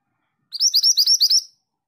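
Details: A female pied triller sings a lively, one-second run of about seven quick, high, upslurred chirps at an even rhythm. No other sound is audible.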